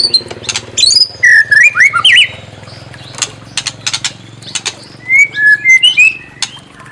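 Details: White-rumped shama song meant to provoke a bird to sing: clear, sweet whistled phrases sliding up and down, in bursts among loud sharp clicking notes, over a low steady hum.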